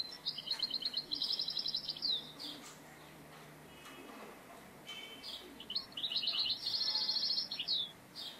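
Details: European goldfinch singing during trapping with a net trap: two bursts of rapid, tinkling, twittering notes, high and jangly, separated by a quiet gap of about three seconds, with faint background noise.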